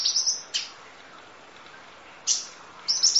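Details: Sharp, very high kolibri ninja sunbird notes from masteran training audio, with a short trill at the start and near the end and a single piercing chip in between, separated by long quiet gaps.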